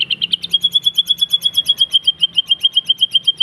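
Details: Murai batu (white-rumped shama) song, used as a pancingan to provoke or train other birds: a rapid series of high, even notes repeated about four times a second on one steady pitch, with a faint low hum beneath.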